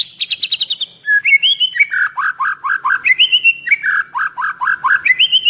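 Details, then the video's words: Caged Medan white-rumped shama, 11 months old, 24 cm, in full song with a mastered repertoire of mimicked phrases: a fast buzzy trill, then loud whistled notes that rise and fall, repeated in bright, varied phrases. "Memaster Full Isian Langsung Dengan Merdunya Suara Murai Batu Medan"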